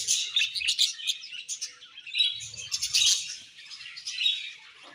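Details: Budgerigar flock chatter, a continuous mix of high squeaky chirps and warbling trills in quick pulses, with a brief low thud in the middle.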